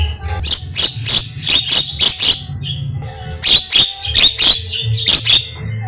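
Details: Javan myna performing lively, varied song as a training recording for pet birds: series of loud scratchy squawks in irregular clusters, some tonal notes between, low hum beneath.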